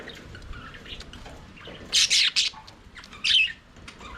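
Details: Budgies singing and playing in their aviary: soft, murmuring warbles and chirps in the background, broken by a few louder scratchy bursts of rapid chattering notes.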